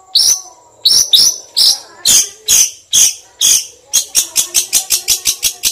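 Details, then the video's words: A long-tailed shrike mimics a kingfisher in a long sequence of loud, harsh, high notes, first spaced about half a second apart, then a fast run of a dozen quicker notes. "CENDET NEMBAK TENGKEK BUTO SUPER PANJANG"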